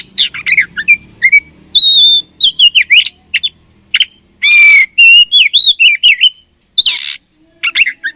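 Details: Fighting kacer (oriental magpie-robin) pouring out varied song: quick chips, a long steady whistle, wavering slurred notes and two harsh rasping bursts, delivered almost without pause.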